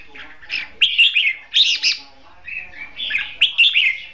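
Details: Caged red-whiskered bulbul kept as a trapping decoy, competition singing with loud liquid warbled phrases, rising and falling notes bunched into short bursts separated by quiet pauses.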